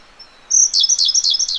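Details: Siberian blue robin (Larvivora cyane) singing close by in a mountain gorge: a quick, high, bright burst of repeated chipping notes running together into a rapid, slightly falling trill, against a quiet background.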